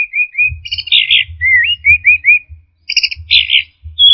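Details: Orange-headed thrush singing as a lure to provoke stressed, silent birds: a series of short repeated whistles, a burry chatter, then several rising slurred whistles, followed by buzzy trills, over a low rumble.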